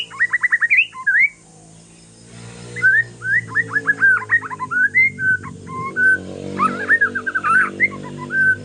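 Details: Aceh forest-line white-rumped shama in calm song used to provoke other shamas into singing: rapid rich whistles and slurred phrases in bursts over a low humming background and faint noise.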